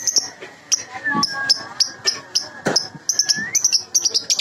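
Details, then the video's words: Lure recording of a baby lovebird: short high squeaky chirps, singly and in quick pairs, with a faint gliding whistle in the middle. "Pancingan Lovebird Baby"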